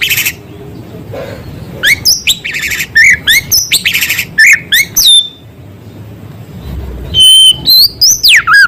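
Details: Vigorous shama song with small-bird material: a burst of high chips and buzzy notes, a long drawn downslurred whistle, a pause, then loud clear whistles sweeping up and down.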